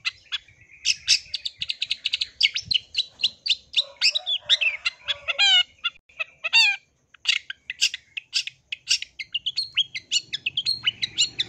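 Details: Long-tailed shrike in an extended medley of rapid ticking chirps and harsh chatter, broken by a few clear downslurred trilled phrases, then more fast chirping.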